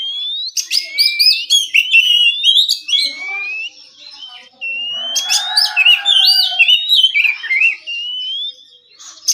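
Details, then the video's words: Oriental magpie-robin giving its relaxed morning ngeplong song, used to get rival kacer singing back: varied whistled phrases, rising slurs and scratchy buzzes, a quieter lull around the middle, then another strong burst. "suara burung kacer ngeplong santai dijamin bikin kacer lawan lekas bunyi nyaut & gacor!"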